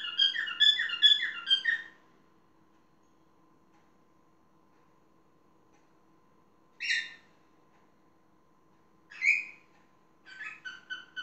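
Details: Parrot calling: a two-second burst of rapid, repeated chirping notes, then silence broken by short isolated squawks near seven and nine seconds and a brief chattering phrase at the end; a faint steady hum runs underneath.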